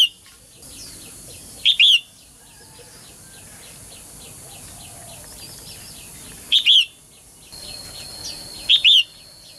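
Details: Female songbird calling to get males singing actively; three loud doubled chirps, each a quick note plus a longer bowed note, spaced several seconds apart, with soft repeated background chirps and a thin continuous high tone.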